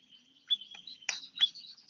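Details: Year-old bar-winged prinia giving a few short, high chirps and thin sharp notes over a faint steady tone, with brief pauses between the notes.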